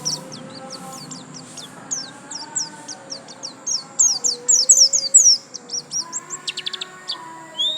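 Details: White-eye (pleci) singing in the gacor lasroll style: rapid, uneven run of thin, high, steeply swept chirps, crowding together midway, over a steady high whine and faint low humming tones.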